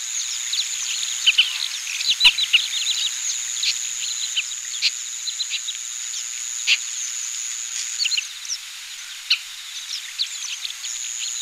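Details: Oriental pratincoles in Pingtung County, Taiwan, on 20 April 2017, where they are uncommon breeding summer visitors. Several birds give short, sharp, chattering notes at once, scattered irregularly over a steady high insect-like hiss.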